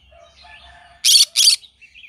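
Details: Green-cheeked conure morning song: faint, warbling chatter leads into a double burst of loud, raspy screeching, then a couple of brief, light chirps.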